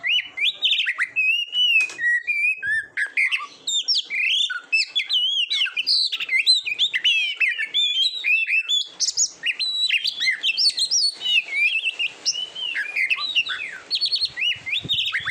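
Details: Competition-training song of an Oriental magpie-robin, locally kacer: dense, continuous stream of high twittering, whistled slurs and mimic-like chirps with hardly a pause over fifteen seconds.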